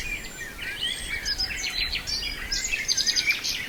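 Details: Nightingale song recorded in Brijeste, with sliding whistled phrases that build into a quick, rhythmic run of sharp high notes, amid a busy background of other birds chirping.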